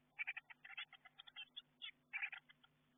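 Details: Nestlings of the Eurasian blue tit calling inside a garden nestbox before fledging, heard through the camera: sharp, rapid chirps in uneven bursts of two to five notes, over a quiet background hum.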